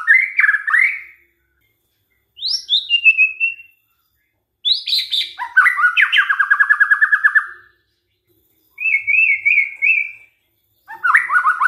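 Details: A white-rumped shama sings varied phrases with short pauses between them, played as a lure so that other shamas will answer: upslurred whistles, a pure steady whistle, a long rattling trill of repeated notes, and loud swooping phrases.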